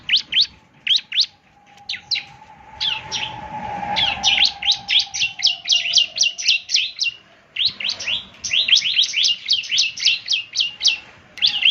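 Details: Bar-winged prinia (ciblek semi) in energetic gacor song, meant to be played each morning so other birds answer: dense runs of sharp high chirps and downward-sweeping notes, several per second, with short pauses and a faint low hum beneath.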